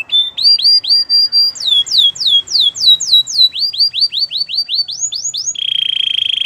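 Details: Belgian canary's training song of repeated whistled upslurs, then a cascade of falling sweeps and another fast run of rising notes, ending in a sustained buzzing roll.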